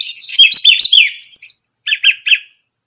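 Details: Orange-headed thrush singing for use as a tutor recording: a dense jumble of high chattering and mimic-like whistled notes, then three separate rising-falling slurred whistles after a pause; thin insect hiss persists throughout.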